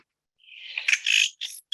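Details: Yellow-headed Blackbird hawk song, given when a hawk flies over, apparently to scare it away; groups sometimes mob hawks with it. A thin high note swells into a harsh, buzzy, crackling burst, then a short rasping tag, about a second long.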